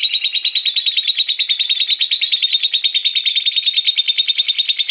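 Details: Steady ngekek song from a lovebird, played to draw other lovebirds into song: an even, fast stream of buzzy, high, chattering pulses with a thin whistled tone running through it.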